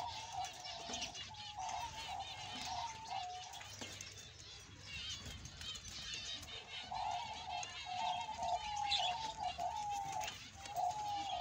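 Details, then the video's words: Male Australian budgerigar singing a continuous chattering warble of rapid, high, slurred chirps throughout, with a steady mid-pitched humming tone underneath and low background rumble. "BEAUTIFUL AUSTRALIAN BUDGIE PARROT MALE"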